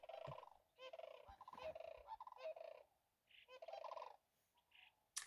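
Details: Sandhill cranes, seasonal residents that nest on small islands in Yellowstone National Park, give loud, rolling, chortling rattles in several bursts in the morning, and a fainter crane answers from a distance.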